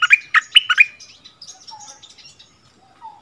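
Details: Bulbul used as a decoy, singing against a resident territory holder at its old territory in February 2021; three loud, quick chirping notes open, followed by faint high twitters and a soft low whistle.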